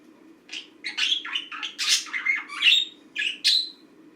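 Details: Green pet budgerigar chirping during its daily routine indoors: a busy run of short warbled and chattering chirps, some harsh, rising and falling, in bursts over about three seconds, with a steady low hum behind.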